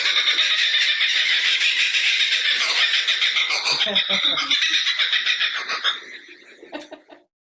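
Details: A captive female Laughing Kookaburra at a zoo gives a raucous laugh: a rapid, dense chorus of harsh cackling notes rolling on for several seconds, then breaking into a few separate hoots as it dies away.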